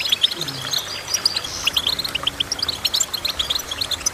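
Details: Goldfinch twittering steadily with sharp, high, repeated chirps. A brief lower rasping note sounds early on, then a quick, even stream of notes follows.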